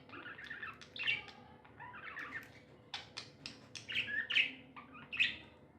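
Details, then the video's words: Tame budgerigars chattering contentedly, giving soft warbled phrases, sharp clicks and brighter squeaky notes in uneven bursts over a low background hum. "Happy budgies chirping sounds"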